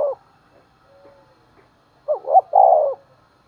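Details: A decoy spotted dove calls in the morning to lure wild birds. After a quiet stretch with faint murmurs, a single phrase comes: two quick hooting notes and then a drawn-out, wavering coo.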